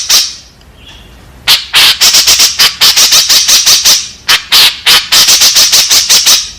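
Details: {'caption': 'Lure calls of a white-breasted woodswallow, meant to draw in its fellows. After a quiet start, loud rasping notes begin, some clustered and some spaced, with a short pause near the fourth second.'}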